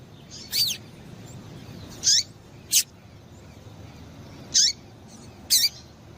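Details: Female double-collared seedeater calling to stir males into song: five high, piercing chips with downward-sweeping tails, spaced irregularly, over quiet background noise.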